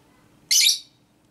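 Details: Female lovebird in a ngekek-style training recording, described as minor-tone 'konslet' chatter meant to provoke other lovebirds; a single harsh, buzzy, high-pitched burst lasting about a third of a second against a quiet background.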